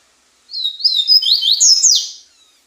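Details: Slate-colored seedeater singing one short phrase of about one and a half seconds: high, slurred whistled notes sweeping down and up, run together and closing with a brighter, slightly buzzy note. Nothing else is heard.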